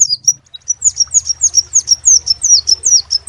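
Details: Crimson sunbird (sepah raja) in lively song, a fast run of sharp, high-pitched descending whistles repeated steadily about every quarter second, with a low rumbling hum underneath throughout.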